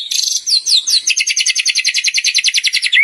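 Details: Lively singing white-rumped shama delivering showy borrowed material: a few swooping high notes lead into a rapid, regular stream of bright chips, ending on a short rising whistle.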